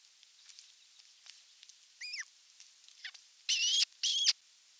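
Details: Osprey at a Finnish nest during evening feeding on 30 June 2022, nest camera recording: a downward-curving whistled call, then two loud, harsh, drawn-out shrill calls in quick succession near the end, with light clicks and rustling between.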